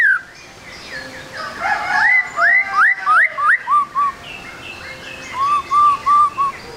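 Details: Trotol-style song of a White-rumped shama, a lure for prompting quick song: a row of rising whistled upsweeps, then short level whistles repeated in a steady series.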